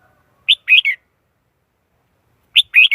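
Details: Lure recording of a Red-whiskered bulbul decoy with a standard voice, used to call in wild birds for trapping: two phrases about two seconds apart, each a crisp note followed by a rolling double warble.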